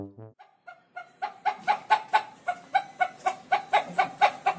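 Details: A frightened rooster gives a rapid run of sharp, clucking alarm notes, about two per second and steady in pitch, with a brief low tone at the very start.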